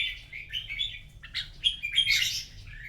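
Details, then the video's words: Red-whiskered bulbul in a morning singing contest: bright warbled phrases of rising and falling whistles, louder and richer toward the end, over a low steady hum. "Chào mào hót đấu buổi sáng kích chim hót đấu căng lửa"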